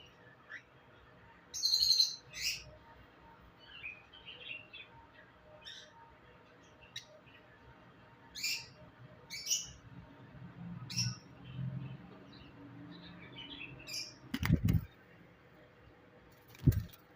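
A cockatiel chick gives short, scratchy chirps in scattered bursts over low background rumble.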